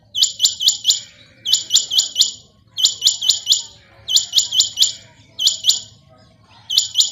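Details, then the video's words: A Rain Quail call used for night hunting comes in quick bursts of three or four sharp, high, metallic notes, repeated about every second and a half over a faint low hum. "Rain Quail Sounds"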